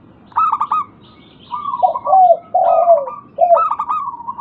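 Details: Local zebra dove, played to get silent birds singing again: quick stuttered coo notes, then a rich run of low rolling coos slurring downward, closing with more stuttered notes.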